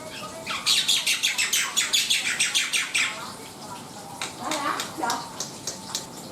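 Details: Black-winged myna in vigorous song: a fast run of harsh, buzzy chattering notes for about two seconds, then softer, lower, scratchy phrases, with a steady faint hum in the background.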